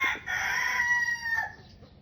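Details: Rooster crowing among hens under a tree at a family home: a short opening note, then one long, harmonic, drawn-out crow lasting over a second that falls away at the end, with quiet background.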